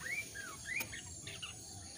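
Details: Jongkangan calls played as a lure to get wild-caught birds singing quickly: two clear whistled notes, each rising then falling, followed by softer high chirps over a steady hiss of background noise.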